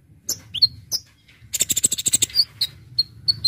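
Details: Lively Brown-throated sunbird song used to lure birds: sharp high chirps and thin whistles, then a rapid rattling run of piercing notes, followed by more spaced whistled chips.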